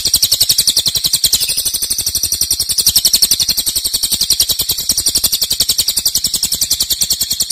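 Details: Dense, long-held cililin song in loud 'nembak' style, a piercing high trill of rapid clicks that starts strongest and stays steady throughout.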